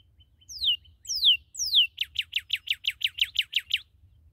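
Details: Newly captured red cardinal singing three loud descending slurred whistles, then a rapid run of about twelve short, evenly spaced chirping notes, clear above a faint low hum.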